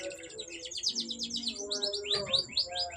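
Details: Canary song: a quick run of high chirps and short trilled notes, some sweeping downward, delivered in a steady stream, with faint low sustained tones like background music.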